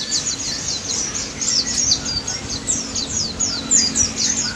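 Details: White-eye singing vigorously, recorded as a lure for silent white-eyes: rapid series of sharp, very high down-slurred chirps, about four a second, with a faint low steady hum underneath.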